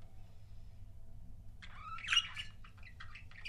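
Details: Pet budgerigar couples: quiet for over a second, then a burst of chirps, a few rising whistled notes and scratchy chatter, with a low hum throughout.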